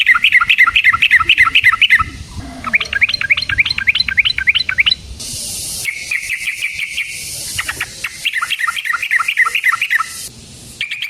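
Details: Yellow-vented bulbul delivering long rolling song phrases, used to provoke other bulbuls into singing: fast, bubbling, evenly repeated notes in bursts of about two seconds, with faint background hiss between them.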